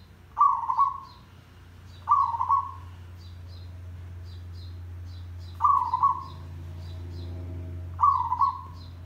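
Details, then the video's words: Zebra dove song used as a trapping lure: rough, burry coos, each about a second long, given in spaced phrases of one or two notes over a steady low hum, with faint high chirps of other birds. "Merbok Tandang Derak Lebat - Perkutut Gacor Pancingan Ampuh - Suara Mikat Perkutut Merbok"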